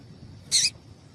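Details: One short, loud, high chirp from a female papa-capim seedeater, used to stimulate males. The chirp is harsh and buzzy, about a fifth of a second long, over low steady background noise.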